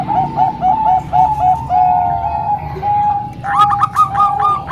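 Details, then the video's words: Zebra doves singing, Bangkok and local, for training young birds: rolling cooed notes, a long steady tone, then a sharp rapid run of bubbly coos, over a low background hum. "Kombinasi 3 Suara Perkutut Bangkok Dan 1 Lokal|Untuk Melatih Perkutut Bahan"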